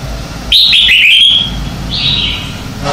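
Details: Morning duel song of a red-whiskered bulbul, meant as lure sound to stimulate other birds. A loud, rapid run of sweet whistled notes slides downward for about a second, then a shorter clear whistle follows.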